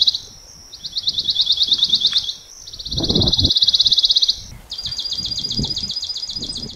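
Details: Recorded Pine Warbler calls played at a backyard feeder in the North Florida Panhandle while a Pine Warbler visits: rapid, even musical trills of many quick notes in three runs, with low thumps and rustling from the feeder.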